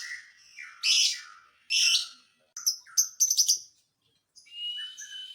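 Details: Lovebird song used to provoke other lovebirds: harsh grating notes, then quick bright chips in a rapid cluster, ending with a thin whistled phrase.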